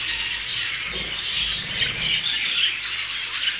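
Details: A group of new Hogoromo budgerigars chattering nonstop; rapid, raspy chirps blend into an unbroken high murmur, with a few clearer squeaky notes late on.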